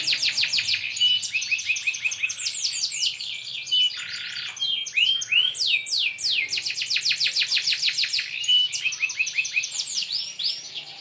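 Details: Brightly coloured canary in full, lively song: long runs of rapid, high, rattling trills and rolling phrases, switching between fast repeated notes and sweeping whistles with hardly a pause, loud and clear against a quiet background.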